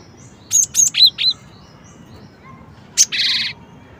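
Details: Four ringing high notes, each dropping slightly, from a cinereous tit, then a pause and a single sharp chirp running into a harsh half-second buzz.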